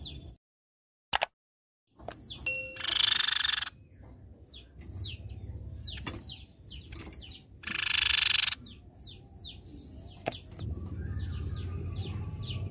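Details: Silver-eared mesia sound played as a lure to attract the bird: short downslurred whistled notes repeated rapidly, broken by two loud harsh buzzy bursts, with a steady high electronic whine and low rumble underneath.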